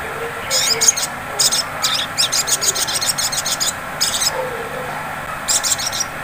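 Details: Sunbird ngleper song used as a lure to trigger ngriwik singing: rapid, very high buzzy trills in stuttering bursts separated by brief pauses, with soft low warbles faintly beneath and constant background hiss.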